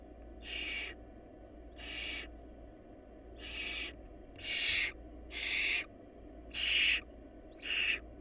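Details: Barn owl family facing a food shortage at the nest. Seven rasping hiss-like screeches, each a short noisy burst, repeat about once a second with uneven gaps. A constant low background hum is also heard.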